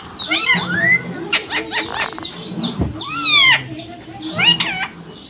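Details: Ringneck parrot producing squawking calls with buzzy harmonic sweeps and a few sharp clicks, interspersed with lower murmuring sounds.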